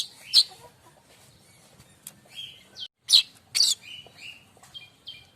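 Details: Singing streaked weaver, its varied song offered as material for tutoring songbirds: irregular sharp high notes, short whistles and thin ticks in uneven bursts.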